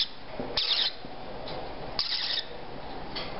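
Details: Three- to four-week-old female parrotlet chicks kept indoors, head bobbing as they begin eating on their own: two or three rough, wheezy rasps, each under half a second, against constant room hiss.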